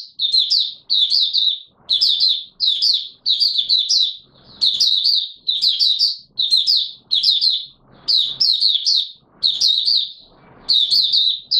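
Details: Mata Puteh Raja white-eye, a caged bird not yet at full condition, singing on 9 May 2022: a long run of bright, high twittered bursts, each about half a second, spaced by brief pauses, soft background rustle.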